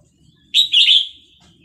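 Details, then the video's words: Vietnamese red-whiskered bulbul in a cage, singing along to a recording of hatched chicks, gives one loud, rich, warbling phrase that rises sharply, then trails off into a softer whistle. "นกกรงหัวจุกเวียดนาม ต่อดอกเร็ว เปิดยั้วลูกนกฟักแล้วคึกร้องตาม"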